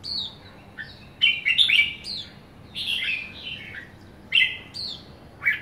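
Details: A young red-whiskered bulbul of the somersault kind sings cheerful, chattering phrases of quick downslurred whistles. Several loud clusters are separated by short silences, with nothing else heard.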